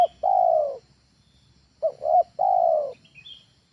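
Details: Spotted dove training call meant for luring birds at home: a long falling coo, then two short rising hoots followed by another long sustained coo, a faint chirp at the end.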